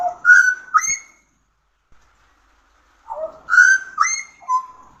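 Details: Pied butcherbird giving two short bursts of pure, ringing whistles, each a few sliding notes, separated by about two seconds of silence.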